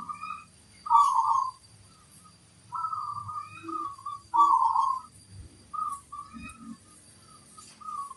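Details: Zebra dove of local stock singing vigorously, big 'kung' voice: soft mellow coos in groups, longer rolling notes alternating with brief flat hoots, quiet pauses between phrases, faint deeper sounds behind.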